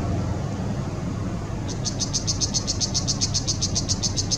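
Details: At a riverside restaurant on the Mekong River, Chiang Rai, Thailand, on 5 February 2017, a Brown Shrike chatters in a fast, even run of high, harsh notes, about six a second, over a steady low rumble of traffic.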